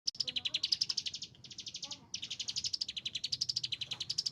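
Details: Agitated Chinese hwamei singing a fast, unbroken stream of sharp, high repeated notes, roughly four per second, with a brief dip midway and faint lower chatter beneath.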